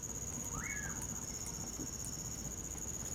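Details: Single rising-and-falling whistle from a common pauraque in winter, set against an unbroken shrill cricket drone and faint pops from a nearby campfire.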